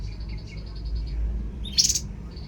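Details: Babbler (tepus) singing a fast series of evenly repeated high whistled pulses, ending in a short harsh chattering burst before the trill resumes, over low background rumble.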